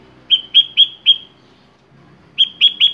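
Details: Loud, clean phrases of sooty-headed bulbul song: four evenly spaced ringing whistles, silence, then three more in a rapid group, sounding bright and liquid.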